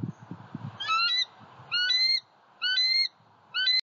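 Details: Eagle at a pond in Southwest Florida on 23 February 2020, recorded by an eagle cam: four loud, squealing, harmonic-rich calls, each about half a second long and slightly rising, repeated roughly every second over low rustling.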